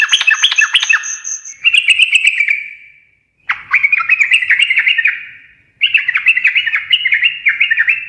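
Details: Yellow-vented bulbul singing gacor ngekek-style, fast warbling chatter in three long phrases with brief gaps, the notes bouncing and wavering; a thin high whistle sounds briefly at the start.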